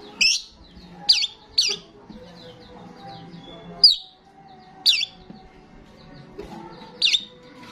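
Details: Starling lure sound of an eagerly singing gacor bird: loud, sharply descending chirps repeated roughly every second, some paired, with soft twittering of other birds and a faint steady hum in the background.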